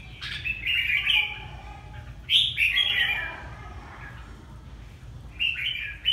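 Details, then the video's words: Red-whiskered bulbul from Ha Tinh, Vietnam, giving lively warbling phrases of quick chirps, three bursts separated by pauses, with faint background hum. "Chào mào Hà Tĩnh bộ đẹp"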